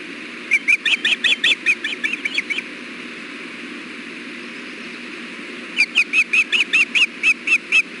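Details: Osprey at a nest with eggs, fish delivered by the male: two bursts of rapid, repeated high whistled chirps, the first about a dozen notes, then a pause and a second even series, over constant low hum.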